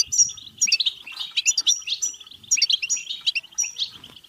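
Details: Rapid, tinkling European goldfinch song of the bebteh type, used to stimulate singing and mating; sharp chirps mix with nasal buzzy trills in continuous bursts.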